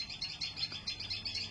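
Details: Parent Common Tailorbirds in a nearby tree, having come to their fallen chick, give a quiet, rapid run of high chipping notes, several per second, with faint background noise.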